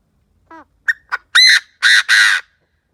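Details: Chinese francolin decoy calling to lure wild francolins: a soft stepped note, two sharp clipped notes, then three loud grating harsh calls, the final pair long and buzzy, all within three seconds.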